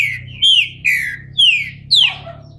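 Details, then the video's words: Bald captive thrush emerging from moult, giving loud descending whistles in quick succession, four strong notes over a faint low hum. "Trinca ferro careca, saindo de muda!!"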